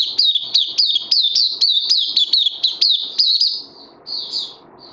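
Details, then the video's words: Oriental white-eye, 31 May 2020: a brisk series of high, sharp, swooping chirps at roughly four per second, then a trailing pair of softer, thin notes over a low background hum. "Puteh Crazy LG"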